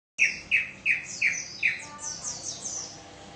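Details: Bar-winged prinia singing: five loud, sharp descending chips at a steady pace, followed by a softer run of higher, thinner rising notes fading out.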